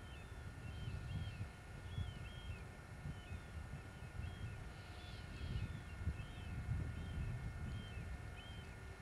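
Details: Marbled murrelets in old-growth forest on Douglas Island, near Juneau, Alaska, at dawn in midwinter during light snowfall, give short, high, slurred keer calls every second or so over a steady low rumble of wind or distant traffic.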